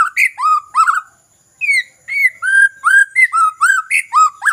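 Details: Lure recording of white-rumped shama song meant to make lazy birds start singing: a burst of rich whistles, a short pause, then a steady run of varied upslurred and downslurred whistled notes.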